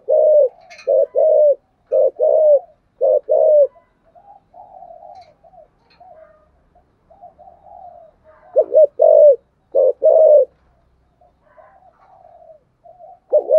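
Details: Spotted dove in the 'thổ sấm' song style with a two-part ending: bursts of short, loud hollow coos in quick groups, broken by a stretch of soft, quiet cooing before the loud notes return.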